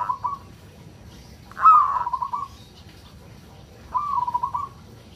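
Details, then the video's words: Zebra dove of the local Indonesian type singing in 'kerot' style to stir breeding drive: a brief coo, then a louder rising-then-falling wavering phrase, and another coo after a pause, with low hum behind. "Suara perkutut lokal NGEROT, solusi untuk menaikan birahi perkutut agar cepat rajin bunyi"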